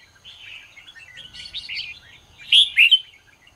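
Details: Red-whiskered bulbul singing in the morning, used to train and stir other bulbuls to sing; warbling phrases run steadily, then two loud, sharp whistled notes near the end.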